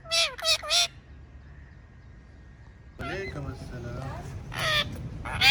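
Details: Talking pet parrot: a few quick, bending whistled notes, a quiet gap, then a string of chattering, speech-like sounds and gliding whistles with shifting pitch.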